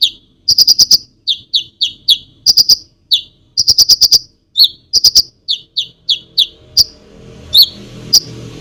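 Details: Konin in varied full song meant to provoke other birds, mixing rapid clicking rattles with series of sharp falling chirps, ending with scattered single notes as a soft hiss rises.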